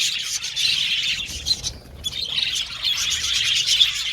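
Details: Budgerigars chirping in dense high twittering chatter that briefly thins and drops in the middle before rising again to full flock chatter with sharp squeaky notes.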